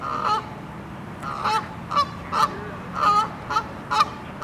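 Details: Canada geese honking loudly before taking off, announcing departure; spaced nasal honks, some doubled, about one every half second after a brief pause, over a low background rumble.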